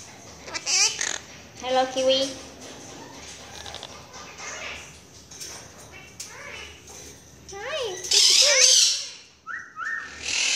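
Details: Pet Quaker (monk) parakeet calling for its owner, 'mommy', indoors: harmonic chattering notes, a harsh broadband squawk near the end, and short steady whistles, with people talking nearby.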